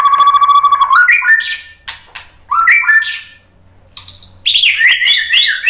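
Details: White-rumped shama song used to provoke fighting males into answering: loud clear whistles that climb in steps, broken by quick buzzy fragments, a short pause, then high rapid warbled phrases.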